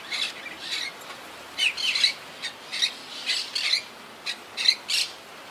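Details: Wild monk parakeets from a colony that lost half its members to hurricane Irma in 2017 utter short rasping squawks, singly and in quick pairs, about a dozen over several seconds.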